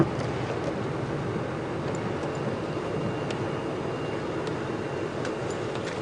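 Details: Steady engine rumble from a safari vehicle on an afternoon drive, with a few faint clicks and no animal voices.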